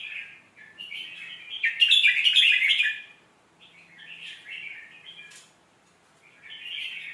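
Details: Song of a red-whiskered bulbul, offered as a tutor for young birds: quick, gurgling whistled phrases. A loud, dense flourish comes around two seconds, then softer, lilting notes, a pause, and a new phrase starting at the close.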